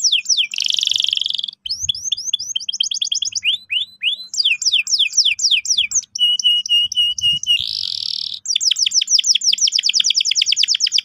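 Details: Canary song played to encourage young canaries to roll: a harsh buzzy burst, then rolling trills, downward slurred notes and another buzz, closing with fast repeated chirps.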